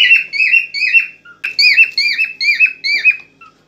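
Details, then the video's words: Excited cockatiel in mating song meant to stimulate a female; a nearly continuous chain of about nine warbled whistles, each slurring up then down, delivered with little pause. "اجمل واقوى تغريد كوكتيل هائج لنحفيز الانثى على التزاوج"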